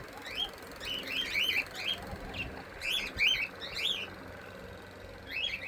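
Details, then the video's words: Lorikeet giving quick, high, twisting chirps in small clusters of two or three, bright and squeaky, repeated through the recording over a steady low background rumble. "cute bird lorikeet"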